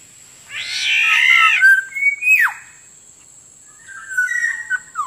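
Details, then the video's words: Lure sound for attracting wild black-naped orioles (kepodang): a loud, raspy, cat-like nasal call lasting about a second, then a brief whistle and downward swoop, later a series of softer fluty whistled notes. A constant high-pitched hum persists underneath. "suara pikat burung kepodang ampuh langsung dapat banyak"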